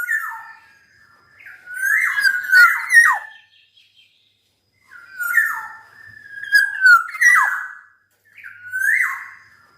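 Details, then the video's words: Black-naped oriole in full, lively song: three bursts of rich, fluting whistled phrases, slurring and dropping, each about two seconds long and separated by short pauses. Faint higher twittering sounds alongside. "Burung kepodang gacor dor..."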